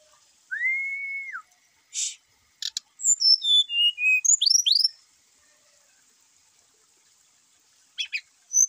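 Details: Brown-chested jungle flycatcher song meant to stimulate reluctant caged singers. A long, level whistle opens, then comes a cascade of short whistles dropping step by step and a few quick rising slurs, with scattered clicks around them.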